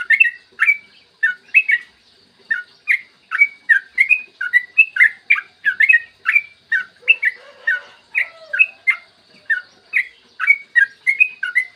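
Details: Yellow-vented bulbul pouring out a long rolling song on a clear morning, used to set other bulbuls singing: continuous quick chirps and slurred whistles, barely pausing, with a soft low warble near the end.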